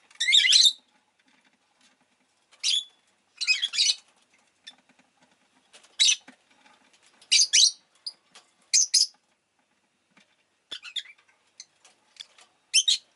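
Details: Pet rosy-faced lovebird chirping repeatedly over thirteen seconds: harsh, shrill squeaky calls every one to two seconds, some in quick pairs, with faint rustling between.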